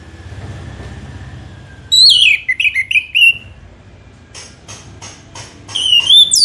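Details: On a lure track meant to make birds sing, an orange-headed thrush gives a warbled phrase of falling whistles, then after a pause soft clicks and a rising, sweeping whistle.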